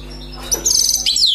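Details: Wild-caught European goldfinch, newly trapped, singing: a brief high buzzy phrase with a sharp note, then a rapid trilled run of twittering notes ending in a falling slur, against a low steady hum.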